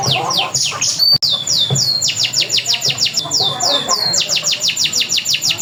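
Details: Local canary song used to prompt other canaries to sing: rapid series of high, downward-sweeping whistled notes repeated about twice a second, continuous and loud over a low background hum.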